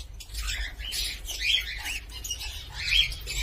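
A cockatiel gives a run of bright, warbling chirps and short rising whistles, loosely repeated over a few seconds, with a low hum beneath.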